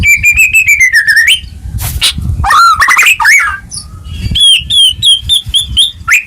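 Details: Lure song of a White-rumped shama for reviving a bird that stopped singing: a rapid series of repeated descending whistles, a harsh burst, rich warbled phrases, then evenly spaced high whistled notes about five per second, over low background rumble.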